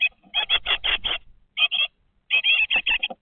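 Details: Twenty-day-old great tit young in a webcam nest box give loud, raspy, high chirps in quick runs of five, then two, then six, with faint low rumble beneath.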